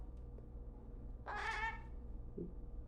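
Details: A young pet crow, indoors in a kitchen on a rainy, windy day, gives one drawn-out, nasal, wavering begging cry of about half a second, wanting food. A low background hum runs under it, with a faint short sound afterward.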